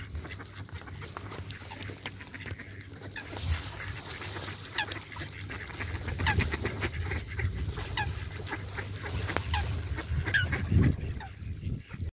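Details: Ducks give a run of short, nasal honking calls, irregular and overlapping, growing louder toward the end, set against a constant low-pitched rumble of background noise.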